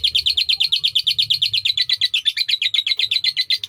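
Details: Long sakera-style chatter by a lovebird in Indonesia, a rhythmic run of harsh, clipped chirps repeated quickly and evenly throughout, over a quiet low hum.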